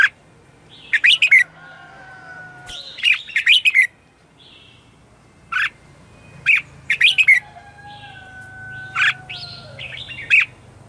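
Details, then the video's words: Bright chattering phrases from a red-whiskered bulbul, morning 'chè' song used as a lure and for training: grouped quick notes separated by pauses of a second or two, with a low hum underneath. "Luyện chào mào hót sáng - CHÉ GỌI BỔI CĂNG ĐÉT"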